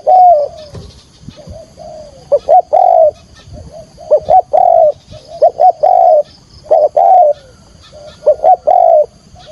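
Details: Spotted dove call used for trapping: cooing phrases of short paired notes and a longer held coo, repeated steadily through the recording, with soft lower coos between phrases.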